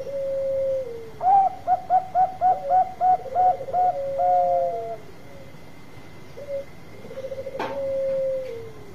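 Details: Zebra dove of the Bangkok type, a lively singer used for luring birds, gives soft cooing phrases: a low drawn coo, then a run of about ten short bouncy staccato notes, then long steady coos, in a quiet setting.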